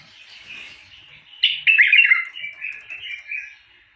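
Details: A bulbul gives quiet twittering, then one loud, liquid, warbling phrase that drops in pitch, followed by softer trailing chattery notes.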